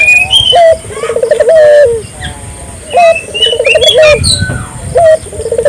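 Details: Barbary dove giving its lively call, meant to trigger local doves to call: a sharp short note then a rippling trill into a falling coo, repeated three times, with high whistled chirps of other birds between.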